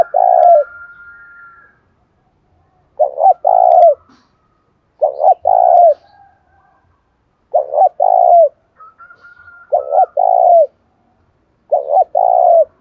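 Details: Spotted dove urged to fight during the rainy, windy seventh month, giọng thổ voice: six low cooing phrases, a quick broken note then a drawn-out falling coo, spaced roughly two seconds apart, a thin higher whistle faintly behind.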